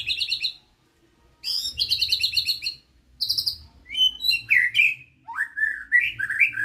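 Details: White-rumped shama of the Medan type singing a rich, varied song: rapid buzzy trills and repeated high chirps, then lower whistled notes sliding up and down in quick phrases, with short pauses between bursts.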